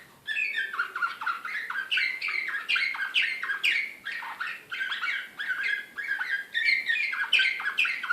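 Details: Excited slavujar canary from Belgrade, Serbia, 2016, singing a long, even series of rapid downward-sweeping whistles, about two phrases a second, bright and continuous.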